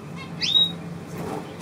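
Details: Begging of a young zebra finch, one of two chicks soon to be given away, still pleading for food, on 4 June 2023: a single sharp upward-sliding call that steadies into a thin high tone, a low hum and faint rustling beneath.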